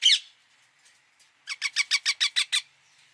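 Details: Indian ringneck parakeet calling: one harsh opening screech, then a rapid run of about eight loud, grating squawks at roughly seven per second, clean background.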